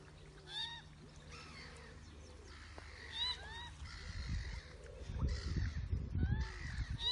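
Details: Canada goose calling: several nasal, upward-slurred honks rich in overtones, given at irregular intervals and sometimes overlapping, over a low rumbling background that grows louder and busier in the second half.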